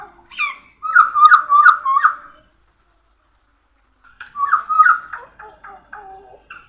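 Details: Pied butcherbird singing: two bursts of loud, rich fluted whistles, each a rapid run of similar mellow notes with a few higher accents, separated by a silent pause of about two seconds.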